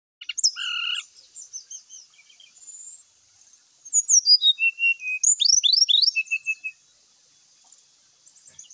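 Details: Brown-chested jungle flycatcher whistling song used as a lure to provoke other males into fighting: a loud high whistled note with lower harmonics, then scattered thin whistles, and a burst of rapid falling slurred whistles and short trills, over steady faint hiss.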